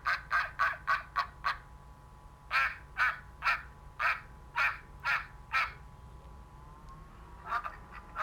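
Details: A farm duck quacking: loud, harsh nasal quacks in a quick run of six, a short pause, then a steadier series of about seven evenly spaced quacks, with a few more at the end.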